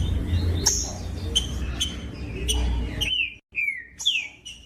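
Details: Green-winged saltator singing to warm up other birds: loud whistled notes and a descending slurred phrase near the end, with low background rumble.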